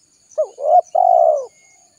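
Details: Spotted dove lure call, used to attract wild doves for trapping: three low cooing notes, two short then a long drawn, slightly falling coo, in quiet surroundings.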